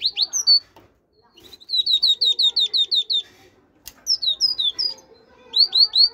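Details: Great tit delivering loud, ringing phrases: a fast run of about eight repeated high notes, then shorter clusters of sharp, descending whistles, separated by quiet pauses.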